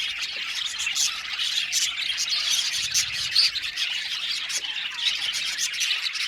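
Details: Many budgerigars of an aviary colony chirping at once, rapid high tweets and warbles blending into a steady chorus, with occasional sharper squawks.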